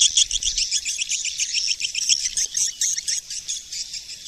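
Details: Busy swiftlet twittering: very fast, high, overlapping chirps, nearly four per second, forming a continuous shrill chatter.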